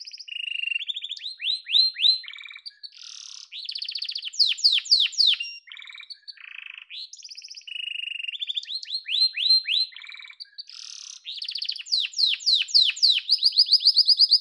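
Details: Extended singing by a yellow canary: alternating flat rolled trills and bursts of fast, loud, downward-swept high notes, ending in a steady high-pitched trill.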